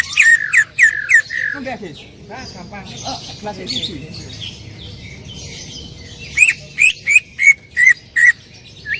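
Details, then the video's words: Greater green leafbird in loud 'tembakan' song: a few strong whistled notes open the passage. A softer middle stretch holds lower, sliding sounds, and a rapid row of six bright, ringing notes ends it. "cucak ijo gacor full tembakan suara keras"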